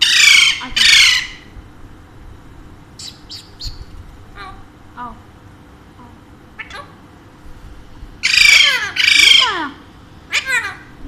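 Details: Harsh paired squawks from a pet Alexandrine parakeet open and close the recording. Between them come scattered short, high chirps and quiet indoor background.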